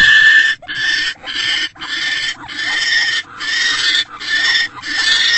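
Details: Barn owl pair in an owl box, 10:17 pm on 20 January 2024, during mating after a small rodent delivery. Continuous harsh, hissing screeches pulse in roughly half-second bursts with shallow dips between them.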